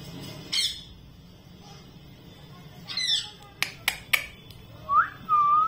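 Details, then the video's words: A talking parrot said to say "Mithu Mithu": harsh squawks, a few sharp clicking bursts, then a rising whistled note and a longer level whistled tone near the end, with quiet room background. "मिट्ठू मिठ्ठू बोलने वाला तोता Parrot talking"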